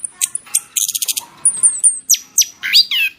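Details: Masteran-style training birdsong: thin high whistles sliding downward, a burst of rapid buzzy rattling notes, then sharp descending chirps and a twisting whistled phrase, against a quiet background.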